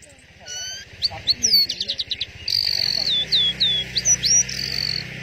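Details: Orange-headed thrush in teler song, delivering rapid high downslurred chirps and buzzy twittering notes over a constant low hum and background noise.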